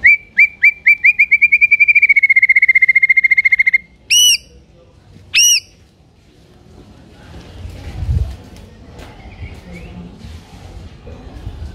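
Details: White-rumped shama in energetic song meant to make rivals answer: a fast even trill of pure whistled notes lasting several seconds, two sharp sweeping calls, then only faint background rumble.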